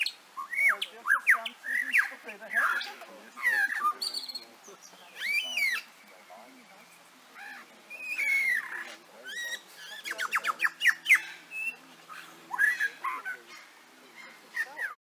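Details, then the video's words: A male lyrebird runs through a varied medley of mimicked sounds: sharp chirps, rising whistles, rapid rattling trills and squawks in quick bursts. This mimicry works as a courtship audio ornament, since females favour males that know more sounds. "Listen to this lyrebird mimic a bunch of sounds."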